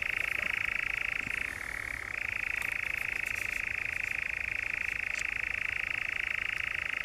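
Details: Churring European nightjar recorded in Norfolk's Brecks in July 2017, a sustained fast trill that drops briefly in pitch near the start before resuming its steady even rattle.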